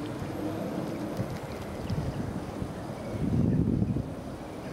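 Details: Steady wind and low rumbling water noise by a pond, with a brief louder gust near the end and no animal calls.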